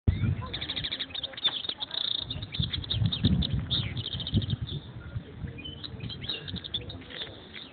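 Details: European goldfinch in Oued Souf, Algeria, singing a rapid, high tinkling twitter of repeated bright notes in short bursts, over low rumbling background noise with faint human voices.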